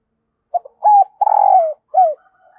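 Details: Decoy spotted dove cooing to call wild doves: one phrase of a short note, a stuttered double coo, a long buzzy drawn-out coo sliding down, then a final falling coo. Otherwise quiet.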